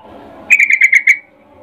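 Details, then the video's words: Female sooty-headed bulbul in breeding condition calling to a male: a quick burst of six bright, even notes near one pitch, a short stuttering phrase under half a second long, then quiet. "Trucuk BETINA memanggil Jantan Suara Birahi Ngecuplik"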